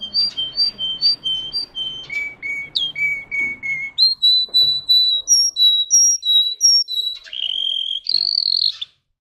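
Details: Russian singing canary delivers repeated clear whistles, first alternating between two high pitches, then a lower run, then higher repeated notes, closing with a brief buzzy trill; faint background hum at the start.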